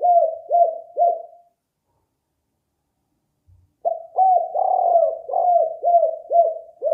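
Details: Spotted dove cooing as a lure: three quick hollow coos, a pause of more than two seconds with a faint thump, then a longer burst of rolling, purring coos with dipping ends.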